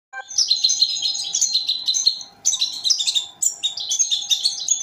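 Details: Young goldfinch × canary hybrid (mule) kept for teaching, singing fast high twittering phrases of tinkling, buzzy notes in three bursts separated by short pauses, with a faint steady hum beneath.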